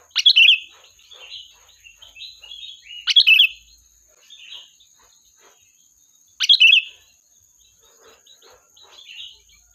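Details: Sooty-headed bulbul singing lively to call in its flock as a lure. Loud, bubbly phrases with a sharp high start recur every three seconds, interspersed with softer chattering twitters and a faint steady high tone.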